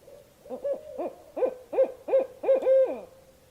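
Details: Series of roughly eight barred owl hoots, quick and evenly spaced at first, swelling in volume, ending with a longer drawn hoot that drops away; faint steady tone underneath.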